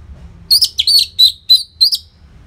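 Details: Loud Orange-headed thrush song used as a master recording for caged birds: five quick, high, slurred whistled notes in under two seconds.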